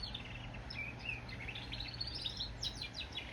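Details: Goldfinch × canary hybrid singing: a rapid run of high twittering notes and short trills, some sliding up or down, over a steady low hum.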